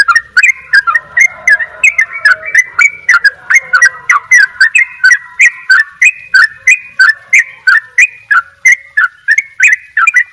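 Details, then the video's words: A sooty-headed bulbul from Bali delivers a long, steady 'dobel ropel' run: a brisk chain of crisp, down-slurred notes, about three per second, kept going without a break for ten seconds, with soft lower whistles early on. "trycuk bali dobel ropell gacor"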